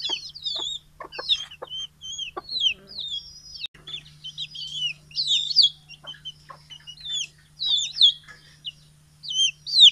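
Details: Morning release and feeding of many small and large chickens, Fulbaria, Mymensingh, 6 October 2018; clustered high chirping peeps in bursts, with twisting, rising and falling notes and brief quiet gaps between groups.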